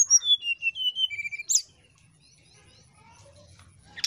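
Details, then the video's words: Nyiul ngetrek song of a brown-chested jungle flycatcher, played as a lure for reluctant singers. A run of clear whistled notes falls in steps over about one second, then a sharp click and near silence. "SRDC NYIUL NGETREK PIKAT DASAR BURUNG SRDC YANG SUSAH BERKICAU"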